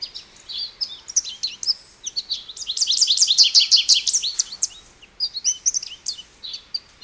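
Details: An American goldfinch sings a lively, high-pitched medley of chirps and canary-like twitters, building to a dense rapid trill of repeated notes before easing back into scattered sweet phrases; background otherwise quiet.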